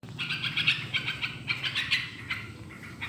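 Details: Yellow-vented bulbul singing vigorously, a recording used to prompt other birds to sing: bright, bubbly chirps repeated rapidly in short uneven bursts over a low background hum.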